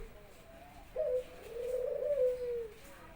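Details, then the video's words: Pet Barbary dove cooing at home as its owner arrives from work: a short soft introductory note, then one long, low, vibrating coo that sinks slightly at the close, with faint room noise behind. "Jojo burung puter saya udah gacor"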